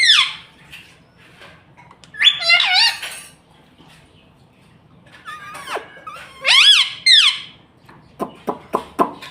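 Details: A talking pet ringneck parakeet trying out mummy and papa in bursts of raspy, bent, word-like squawks, separated by quiet gaps and ending in short clicking notes.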